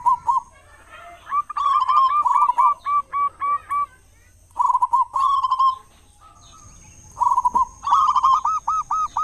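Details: Zebra dove of local stock, loud and vocal, played as a lure to draw song from other doves at dawn and dusk; layered rolling coos and rows of quick repeated notes, phrases recurring about every two to three seconds.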